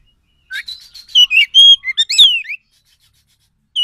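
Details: Lure song of a wild forest Oriental magpie-robin: a quick sequence of sweet whistles, a sustained level note, then a sharp note and a long falling slur, followed by silence.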